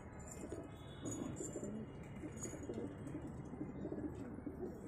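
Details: A pair of Chini pigeons gives low, soft cooing notes that recur through the stretch over a steady rumbling background hiss.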